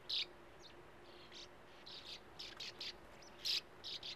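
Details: Sand martins at a nesting colony in a sandy bank by a gravel-pit lake give short, dry, rasping chirps, overlapping in quick bursts over a faint hum; nestlings wait open-billed at burrow entrances and some fledglings leave the burrows.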